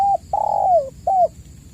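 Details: Cooing of a spotted dove, used as a lure for caged birds reluctant to call: a short coo, a longer trilled coo sliding downward, then a clipped closing note, over low background hum.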